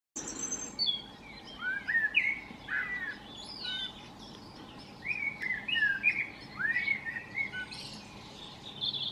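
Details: Common starlings at a garden nest, where the parents return every few minutes with food for the young and carry out droppings. The clip has clear slurred whistles, rising and falling, plus short chirps in loose bursts, over a steady low background hiss.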